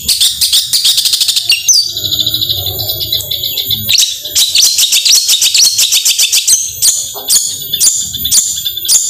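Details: Long-tailed shrike 'tembakan' song for stimulating lazy singers: fast harsh chirping runs, a pause with a held high whistle, then irregular bursts of scratchy notes.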